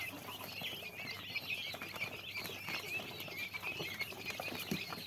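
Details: Many young quail chicks cheeping at once, a continuous high chatter of brief whistled notes, some swooping in pitch, accompanied by soft scratching and a few louder taps near the end.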